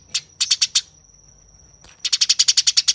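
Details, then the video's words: Eurasian tree sparrow chattering harshly while fighting. A short group of rasping chirps, then a silence, then a rapid, regular run of rough notes. A steady high whine underneath. "Masteran Tembakan Gereja Tarung Gacor Nyerecet Kasar Speed Rapat"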